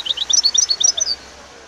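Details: Short phrase of European goldfinch song: rapid, jingling notes alternating between lower and higher pitches for about a second, then quiet.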